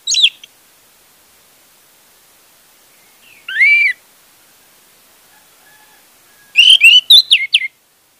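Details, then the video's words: Orange-headed thrush, played as a lure to coax a silent bird into singing: a lone high chirp, a long pause, one rising-falling whistle, then a rapid, varied burst of sharp twittering notes at the end. "pancingan anis merah untuk anis merah macet"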